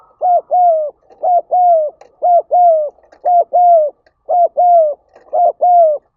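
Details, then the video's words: Urging call of a spotted dove, with six evenly spaced paired coos at roughly one pair per second. In each pair a brief low note leads into a longer, mellow, slightly descending hoot. No other sounds are heard. "Tiếng Chim Cu Gáy Thúc Gáy Gọi"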